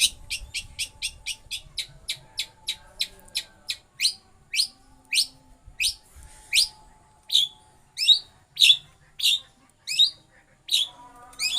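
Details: Rolling lovebird imitation by a pentet, the long-tailed shrike: rapid, high, clicky chirps slowing into spaced, sweeping notes roughly every half second.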